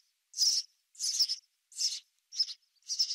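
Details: Five bright, slightly buzzy House sparrow chirps at an uneven pace, roughly one every half second to second, in quiet surroundings.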